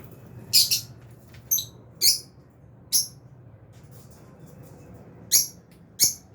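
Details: Fisher's and albino lovebirds kept together in an aviary make scattered bright, high chirps, about seven short notes spread across the clip with irregular pauses, some doubled.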